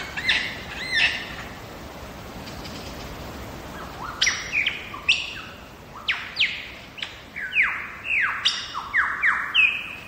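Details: Wild lyrebird singing in Megalong Valley in Australia's Blue Mountains: a rapid run of loud, descending, ringing whistled notes, a few opening phrases and then a dense cascade of sweeping calls in quick succession.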